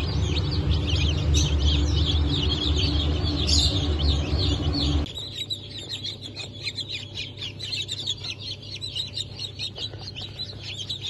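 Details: Newly hatched Cream Legbar and Rhode Island Red chicks, hatched 29 August 2024: dense high peeping from many chicks over a loud machine hum that drops away halfway through.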